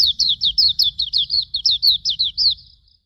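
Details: Hume's white-eye, used as master song for training birds: a fast, even series of about fourteen high, thin, down-slurred whistled notes, roughly five per second, over a faint low background rumble.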